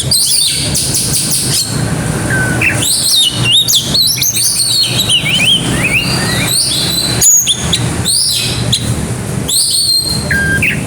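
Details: Oriental magpie-robin in full song, the bird bringing out its imitations: rapid varied whistles, sweeps and chirps in dense bursts, with a steady low traffic-like rumble beneath.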